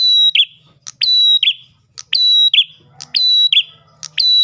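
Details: Ash tailorbird singing to lure other tailorbirds: loud repeated phrases of a sharp click followed by a level whistle and a buzzy falling note, roughly one phrase per second, faint low hum beneath.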